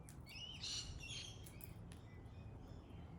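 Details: Pale-headed rosella uttering a quick burst of high, piping chirps in the first second, then quieter scattered ticks against a steady low hum.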